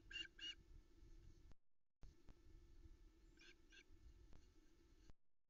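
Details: Female osprey at a nest-cam in the Arkaig Community Forest, Loch Arkaig, 13 July 2020, early morning, calling for fish after the male delivers a trout that a chick eats. Two pairs of short, harsh chirps over a steady low hum.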